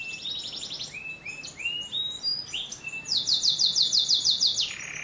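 A canary sings a lively run of high chirps and short rolling tours, then a fast, bright, ringing trill for over a second. No other sounds intrude.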